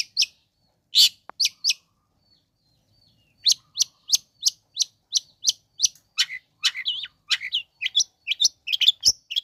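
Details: Long-tailed shrike sounds used to provoke other shrikes: a few harsh rasping notes, a short pause, then a lively stream of sharp chips and slurred squeaky whistles speeding up toward the end.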